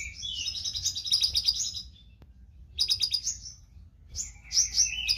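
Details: Konin lovebird singing vigorously, kept as training material for songbirds: long bursts of dense, high, scratchy chattering trills, broken by a brief pause, then resuming with rapid buzzy notes and a low hum behind.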